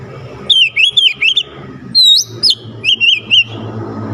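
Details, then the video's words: Oriental magpie-robin song meant to get a lazy bird singing: two clusters of quick, wavering whistled notes around a longer rising whistle, over a low steady hum. "Kacer gacor cocok untuk nambah emosi Kacer malas bunyi"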